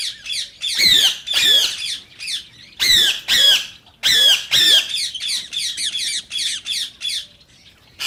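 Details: Rose-ringed parakeet producing loud, grating squawks in pairs, interspersed with quicker runs of thinner shrill notes, used to stimulate singing and mating.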